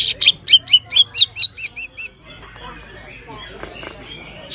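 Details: Common iora (cak ijo) singing in the isian style: a crisp series of about ten sharp chipping notes at a steady quick pace, then softer rambling twitters and a final high burst.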